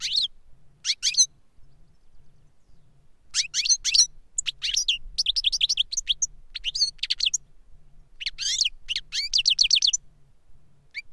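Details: Older goldfinch sings to instruct a younger goldfinch: separate phrases of fast, bright high-pitched twitters and trills, each lasting one to two seconds, broken by quiet pauses.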